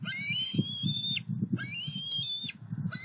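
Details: Two juvenile bald eagles flying from the nest to a pond and on to a snag tree in Southwest Florida, July 2020; long, thin whistled notes rising slightly, twice, over low rumbling wind noise.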